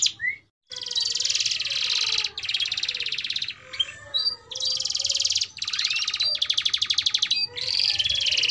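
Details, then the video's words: Canary song meant to teach young canaries to sing: long buzzy high trills in sustained tours, broken by short pauses, with a few rising whistles and faint low background noise. "Kenari Gacor Durasi Panjang || Ampuh Buat Pancingan Kenari Paud Belajar Bunyi"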